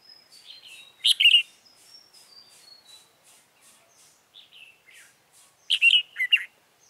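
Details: Red-whiskered bulbul decoy during trapping of wild birds on 28 February 2017. Loud, rich warbled phrases sound near the start and end, over a steady run of thin, rapid, evenly spaced chirps.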